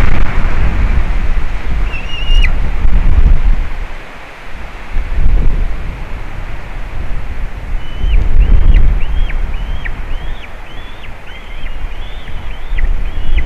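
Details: A juvenile White-tailed eagle visiting a nest with eaglets on 27 June 2019 in Latvia gives one thin, high call, then a quick run of about nine short yelping notes, each rising then falling, as strong wind roars throughout.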